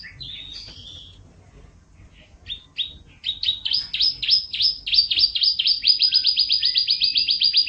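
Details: Canary in gacor isian song style: a few varied whistled notes open, then sharp downslurred notes build into a fast, steady roll repeated about four times a second, growing louder toward the end over a low background hum.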